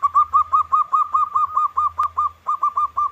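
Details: {'caption': 'Zebra dove, a local perkutut, in sharp song meant to provoke other doves into answering: a fast, steady string of short, clipped, mid-pitched cooing notes, about fifteen in three seconds.'}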